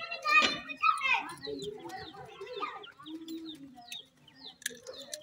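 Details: Young francolin chicks at play alongside pheasant chicks, giving high thin peeps that slide downward, mixed with a few clear harmonic calls and lower soft clucking notes, repeated busily and irregularly.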